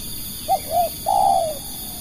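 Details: Lure spotted dove used to draw in other doves, giving one cooing phrase of two quick short notes and a long, gently falling final coo, with a faint constant high-pitched hum behind.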